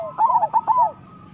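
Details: Local zebra dove singing as a training master for other doves: a single fast phrase of bubbling, arched coo notes, then quiet.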